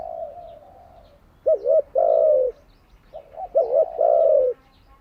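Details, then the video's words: Cooing of a spotted dove kept as a decoy, played to train captive doves: a wavering two-part note leads into a long, sliding, descending coo, given twice after the tail of an earlier phrase. "Tiếng chim cu gáy mới nhất, dùng luyện chim gáy bổi và mồi hàng ngày"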